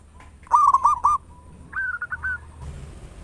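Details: Local zebra dove with a big voice, singing actively as a lure for other doves. A loud series of four rolling cooing notes leads into a thin held tone, then a softer, higher stuttering phrase.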